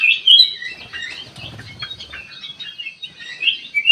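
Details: Sooty-headed bulbul singing as a lure sound to draw a reply: jumbled, twittering high notes, loud at the start and end, softer in the middle, over a faint low rumble.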